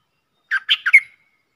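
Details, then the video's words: A short phrase from a streak-eared bulbul trapping lure: four rapid, husky, bubbling notes ending on a brighter note that trails off. Nothing else is heard. "Suara pikat merbah lekir"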